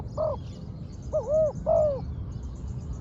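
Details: A spotted dove, trained and used as a ground decoy, utters three deep, smooth coos, the last two drawn out and gently arched. Faint high bird chirps sound behind, over a low hum.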